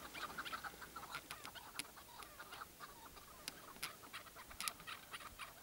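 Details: Chukar partridge tied out as a hunting decoy, uttering rapid chattering clucks in uneven bursts, some notes sharper and higher, continuing across the whole stretch.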